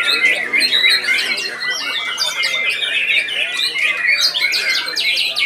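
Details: Contest white-rumped shama singing nonstop (ngedur) while being judged, firing sharp, piercing bursts; layered whistled notes, rapid trills and rattling phrases overlap throughout from a crowd of competing birds.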